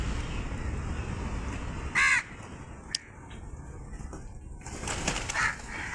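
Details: A crow gives two short, harsh caws about three seconds apart over steady background hiss, with a faint click between them.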